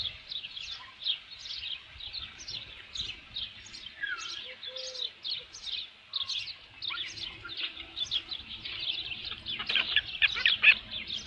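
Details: Osprey at a ranch nest with a headless fish, 27 June 2018 around 12:48 PM; a long, rapid train of thin high chirps, over two per second, growing busier toward the end with light background noise.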